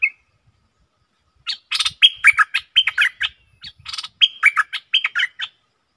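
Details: Caged stripe-throated bulbul recorded 7 June 2021 for training: two bursts of rapid, chattering, liquid notes, each roughly a second and a half, separated by a brief pause, with soft low knocks.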